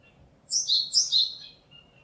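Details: Song of a Japanese tit, 27 March 2022: three quick repeated high-to-lower paired notes forming a brief phrase of about one second, followed by a faint thin whistle.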